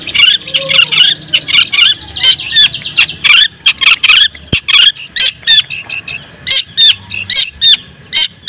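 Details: Long-tailed shrike song meant to provoke other shrikes: busy high chattering phrases, then spaced short whistled notes and sharp chips repeated at an uneven pace, with one loud click midway.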